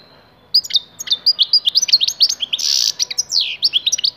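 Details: Six-month-old Tlemcen goldfinch in strong song: a quick twittering stream of sharp high chirps and slurred notes, broken midway by a harsh buzzy burst, then more liquid rising and falling twitters.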